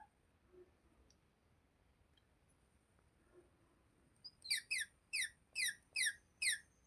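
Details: Parrot; call; expressing happiness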